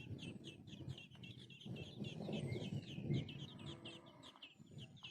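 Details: Sparrow with a small chick crying for food; rapid run of thin, high chirps repeated a few times per second over a steady low rumbling background noise.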